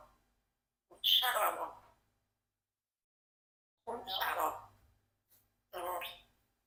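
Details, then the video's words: Rocky, a 4-year-old male Congo African grey parrot kept as a pet, talks in three short bursts of mimicked speech, each about a second long, with bright, whistly overtones and quiet pauses between. "Whose Sharock?"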